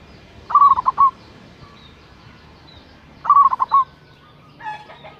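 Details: Local zebra dove, a loud caller meant to draw out rivals, gives two rolling coo phrases nearly three seconds apart. Faint chirps and a brief scratchy sound follow at the end.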